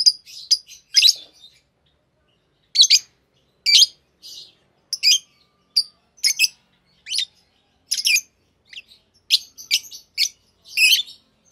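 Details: A pair of green Fischer's lovebirds chirping: short shrill notes and buzzy twitters come in scattered bursts, some doubled, with brief silent gaps between phrases.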